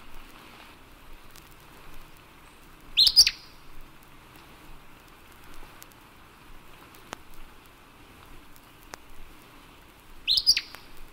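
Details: Acadian Flycatcher singing: two short, sharp, explosive high notes about seven seconds apart, each a quick two-part burst, over a faint steady background hiss.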